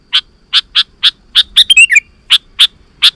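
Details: Sooty-headed bulbul, played to lure wild birds to answer: evenly spaced sharp chirps, broken around the middle by a quick tumbling run of twisting, slurred notes, then more single chirps.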